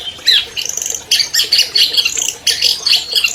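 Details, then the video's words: Champion albino long-tailed shrike, recorded in 2020 as a lure to get stalled captive shrikes singing, delivering a dense, scratchy run of squawks and rapid chattering trills, loud and high, with little pause. "MASTER SUARA CENDET ALBINO JUARA 2020"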